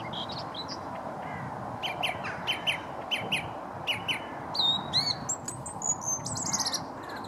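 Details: Song thrush singing beside a towpath near Stoke Lock on the River Wey, Guildford: bright whistled phrases, several repeated two or three times in quick succession, over a steady low background hum.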